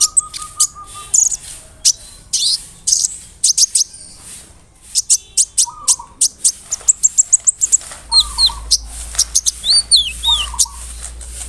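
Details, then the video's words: Vigorously singing large-bodied brown-throated sunbird, used as a lure to agitate rival sunbirds. Long runs of high, rapid chirps and ticks mix with curving, slurred whistles, broken by short, lower, wavering buzzy phrases. "PANCINGAN KONIN GACOR BODY BIG SUARA NYES BIKIN KONIN LAIN TAMBAH EMOSI"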